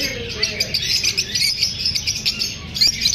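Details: Several lovebirds, unsettled by being filmed, keep up a busy stream of high, scratchy chirps and tweets that overlap without pause, with a brief lower whistled note early on and faint background hum.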